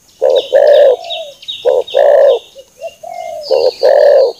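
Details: Soft hollow coos of a spotted dove come in short-long pairs. Thin high whistles of another bird sound over them throughout.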